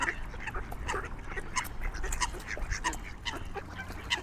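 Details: Swans calling in the wild, giving harmonic, honk-like notes repeated roughly every half second to two-thirds of a second, with softer overlapping calls and low rumble behind them.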